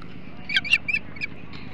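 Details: Osprey at its Hog Island nest while feeding on a big flounder, 21 July 2016, 08:05; four or five short, piercing whistled chirps in under two seconds over a low steady hum.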